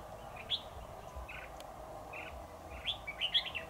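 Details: Red-whiskered bulbul kept as a trapping decoy to lure a rival: a few sharp whistled notes and brief chirps, a quick burst of phrases near the end, over low hum.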